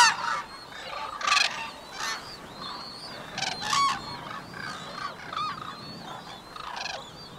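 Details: Mated white-naped cranes duetting in the courtship unison call, the female with quick high short notes, the male with longer lower pulsed calls. Moderate harsh honks arrive in scattered groups, with thin rising whistled notes between them.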